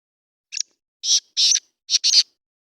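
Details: Black francolin call: a short opening note, then four harsh, grating, high bursts in an uneven rhythm, the last two closely paired, against silence.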